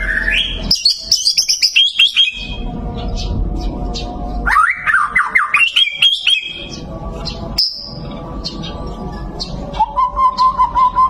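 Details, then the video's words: White-rumped shama, a competition-winning bird, sings varied whistled phrases: rising slurred notes, sharp high chips and quick repeated bursts. Brief silences separate the phrases, and a low rumble of background noise runs underneath. "perdana murai prestasi tenbakan mewah"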